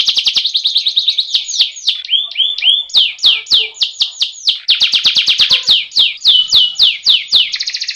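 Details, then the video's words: Rolling canary song meant to train birds into singing: rapid series of downward-sweeping whistled notes, about three or four per second, broken by short chattering phrases and ending in a buzzy trill. "Suara masteran burung kenari ngerooll agar burung cepat gacooorrr.."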